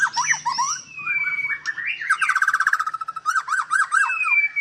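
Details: Captive white-rumped shama at a breeding farm in Palembang, Indonesia: a long drawn whistle, then a fast rattling trill of rising notes and more sweeping whistles, loud and clear.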